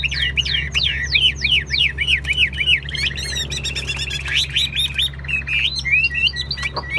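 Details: Chinese hwamei in a cage, a Vietnamese bird kept for song and fighting, opening with a rapid run of repeated descending whistled notes, then shifting to buzzy trills and scattered sweet whistles, over low steady background hum.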